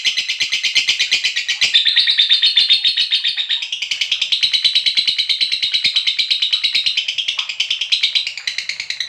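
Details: Lovebird giving a long 'ngekek' (ngekek panjang), used as a lure to get other lovebirds trilling: an unbroken, high, rapid chattering trill lasting the whole nine seconds, with fast pulsing that wavers slightly in pitch.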